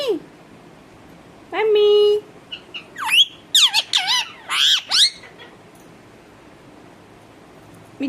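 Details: Talking parrot kept at home, producing a long flat nasal note followed by a burst of varied looping, wavering squawks over about three seconds.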